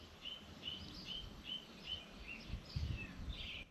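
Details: Song thrush singing just after 6 a.m. on the summer solstice, 21 December 2024, at a blueberry farm on the Awhitu peninsula near Auckland, New Zealand: short, bright whistled phrases, one about every half second, over low wind or traffic rumble.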